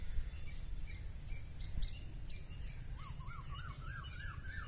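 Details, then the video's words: Spring birdsong at a Northern California spot, 2023: faint high tweets spaced through the first seconds, then a rapid repeated series of looping notes, all beneath heavy low-pitched background rumble. "Bird chirping"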